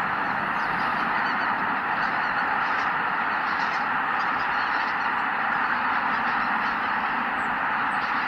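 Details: Massive flock of greater white-fronted geese flying out from the roost as the sun rises over Kabukuri-numa, Miyagi Prefecture, Japan. Loud, dense chorus of blended honks over a rumbling wash of wingbeats, with faint higher calls on top.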